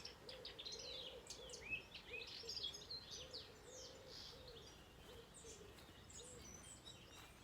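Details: Faint chorus of birds with quick high chirps and thin twittering over constant noise, while a low soft wavering tone repeats underneath throughout.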